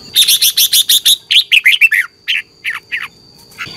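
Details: Morning competition song of a red-whiskered bulbul, played to provoke other birds into singing: a fast run of about eight evenly spaced sharp chirps, then looser descending whistled notes slowing toward the end, with a steady background tone.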